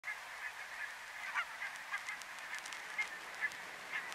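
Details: Barnacle geese at Workum, Netherlands, in February 2014: a distant flock giving a dense, continuous chatter of short yapping calls, with a few louder individual barks standing out.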